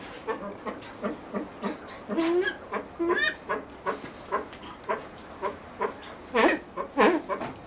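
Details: Blue eared pheasant on a breeding farm, with quick regular clucking notes, two brief rising calls early on and louder harsh bursts near the end.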